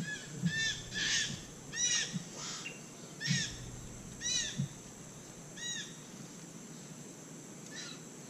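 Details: White-throated magpie-jay in Costa Rica, eating palm fruit, gives repeated arched, ringing notes at irregular intervals of about a second, with a few low thumps and steady background hiss.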